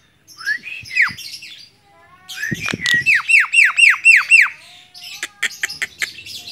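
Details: Javan myna, tame and singing from a person's hand: a rising whistle, then a steady series of about seven loud, falling, harsh notes and a close of sharp clicks.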